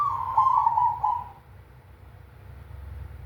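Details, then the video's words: Big 'kung' song of a cemani zebra dove: one loud warbling, slightly falling coo lasting over a second, then quiet with only a low steady hum. "Perkutut cemani suara kung besar"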